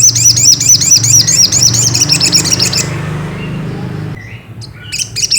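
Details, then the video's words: Ruby-cheeked sunbird song played to stir another bird into singing: a fast run of about a dozen high, looping, repeated notes lasting three seconds, then a pause and a few scattered high chips. "bikin SOGOK ONTONG tambah EMOSI || PANCINGAN SOGON agar BUNYI"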